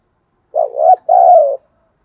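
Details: Decoy spotted dove in vigorous cooing: one clean two-part coo, a short wavering hoot then a longer steady hoot that sinks slightly at the end, in quiet surroundings.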